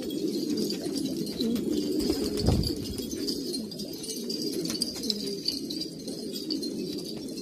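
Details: Group of old purebred pigeons in Kabul, Afghanistan, cooing low and steadily, one loud flutter or thump midway through the chorus.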